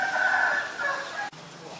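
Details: Green-billed malkoha uttering a single drawn-out, nasal, croaking note with a strong stacked tone that fades after about a second, then background quiet.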